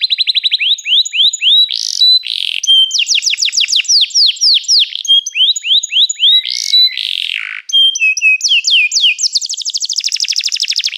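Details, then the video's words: Long bright canary song of repeated downward sweeps, buzzy blasts, held pure whistles and a closing fast rattling trill. "toque imediatamente este encantador som de canário"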